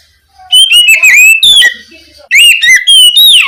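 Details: Oriental magpie-robin singing ngeplong-style at night to trigger young spotted magpie-robins into song; two energetic phrases of varied slurred whistles and quick chirps, split by a short quieter stretch.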